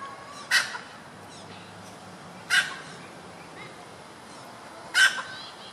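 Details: Red junglefowl hen calling three times, each call a single rough, hoarse burst repeated roughly every two and a half seconds, with quiet intervals and a faint low hum between.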